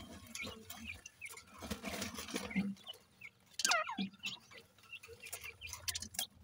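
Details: Partridge chicks feeding in the morning: a few short downward-sliding peeps, one clear and loud, among soft pattering and pecking clicks.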